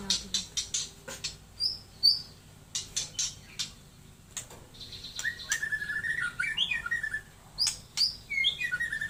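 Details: Taiwan murai white-rumped shama giving rapid clicking notes and scattered whistled slurs, softer than elsewhere, ending in rising and falling clear whistles.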